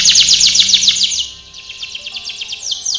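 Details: Singing canary in a training song, opening with a loud rapid rattling trill that fades into a softer, steady run of quick high notes.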